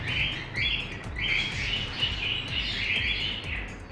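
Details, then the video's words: Pet parrot at home, talking with its owner: a string of loud, harsh, voice-like syllables with banded tones, each burst lasting about half a second, run together over four seconds. "My Parrot Talk With Me"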